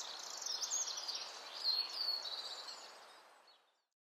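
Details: Wren singing during nesting season, likely to its mate, in late April; a rapid, high trilling stream of notes over about three and a half seconds, fading at the end, with a hiss of background noise.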